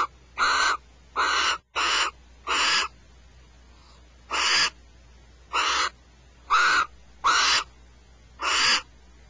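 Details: Barn owls, male and female, disputing a rat at Starr Ranch: loud, rasping, hiss-like screeches in short bursts, four quick ones, a pause, then five more spaced under a second apart.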